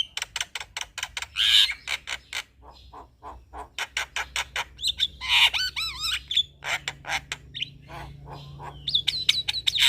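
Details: Male Javan myna chatter played to lure other mynas: a fast, steady barrage of dry clicks interspersed with looping whistled phrases and squeaky notes throughout.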